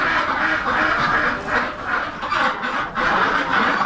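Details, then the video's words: Rouen duck breeder flock on a hatchery farm, domestic ducks too heavy to fly, kept for purebred hatching eggs: loud, harsh nasal quacks from many birds in overlapping bursts, surging roughly twice a second with brief dips between. "Rouen Ducks Breed (Breeder Flock)"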